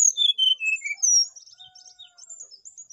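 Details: Brown-chested jungle flycatcher giving a short phrase of bright whistled notes that slide down the scale, followed by softer twittering and a faint steady tone.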